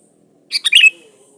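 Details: Brief burst of Sooty-headed bulbul song for luring other birds: quick bubbly chirps tumbling into one clear, falling whistled note, with a faint low hum behind.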